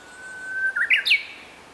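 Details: Young Japanese bush warbler singing on 16 May 2023 in a spring-fed valley of Zama Yatoyama Park, Zama, Kanagawa, Japan: one long, steady whistled note, then a quick run of brighter notes that jump upward and end in a sharp, high flourish.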